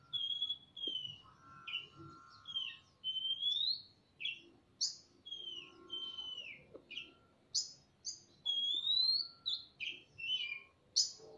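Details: In a semi-natural aviary, a male and female magpie-robin trade phrases with tails fanned: a lively run of clear whistles, rising slurs and sharp high notes, each phrase about half a second, with faint clicks between.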